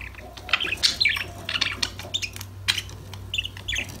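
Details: Budgerigars playing and chirping to each other: short warbled phrases and squeaky chirps in separate bursts, over a low steady hum.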